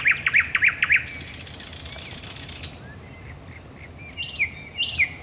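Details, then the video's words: Thrush nightingale at night, Raszyn Ponds, Poland, 10 May 2021: a fast series of loud pulsed notes, a long harsh rasping noise, then soft whistles and sharp descending notes. "Nocny śpiew słowika rdzawego"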